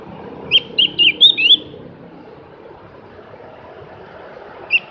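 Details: Javan grey-throated white-eye giving a quick run of five bright, high chirps, each slightly inflected. Then a pause of about three seconds, and a single note closes the phrase over faint background hiss.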